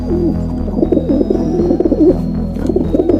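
A dove gives soft, low, rolling coos in quick repeated phrases, heard over steady background music with a pulsing low beat.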